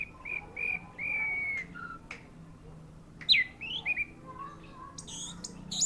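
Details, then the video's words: Orange-headed thrush song: a series of clear, level whistles, one drawn out longer, followed by a burst of rising and falling varied notes and a few thin high squeaks. "Anis merah ring matroji mlg, teler mental"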